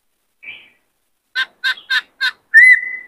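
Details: White-cheeked laughingthrush, whose many-voiced song serves to train young birds and spur males to sing and dance. A faint opening note, four evenly spaced harsh rasping notes, then a clear sustained whistle.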